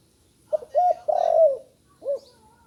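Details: A spotted dove newly learning to call gives a short coo, a slightly longer one, then a long, rough, downward-gliding coo, followed after a pause by one short closing hoot. Faint high chirps are in the background.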